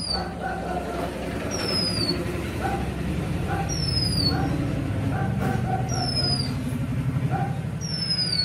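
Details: Magpie-robin giving repeated high, down-slurred whistles roughly every second or two, each with a faint upper echo, above a constant loud rumble of traffic-like noise and scattered mid-pitched knocks.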